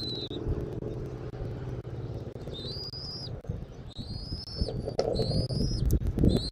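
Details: Bald eagle on a Southwest Florida eagle camera, 13 January 2024, early afternoon: repeated thin, high, rising whistles, several drawn out and some short, with low hum and wind buffeting growing louder toward the end.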